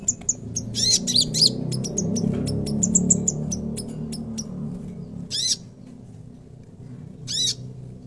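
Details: Konin in full chatty song, with harsh buzzy bursts and sharp high ticks over a steady background rumble.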